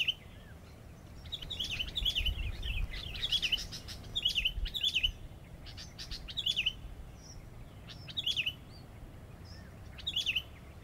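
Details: Sooty-headed bulbul used as a decoy bird, singing short chattering whistled phrases that rise and fall, given in quick bursts repeated every one to two seconds, over a low steady background rumble.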